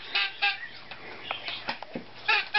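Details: Young male hand-fed Timneh grey parrot chick honking during morning feeding: short, nasal, harmonic honks in bursts near the start and again at the end, with faint music and soft noises between.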